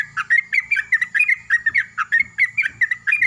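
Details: Yellow-vented bulbul welcoming the morning in a loud exchange with a second bulbul, a recording used as a lure: a continuous, lively stream of rapid chattering, bubbling notes, about four or five per second, over steady low hum.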